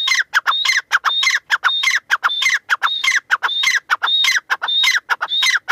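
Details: Irani teetar, the grey francolin, calling loudly in a fast rhythmic series: scratchy phrases each carrying a bright whistled note, repeated almost twice a second without pause, background quiet.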